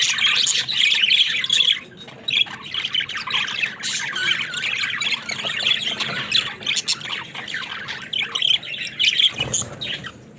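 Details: Pet budgerigars in a busy flock chatter, described as talking: loud scratchy warbling and clicks fill the first two seconds, then run on somewhat softer with brief sharp squawks.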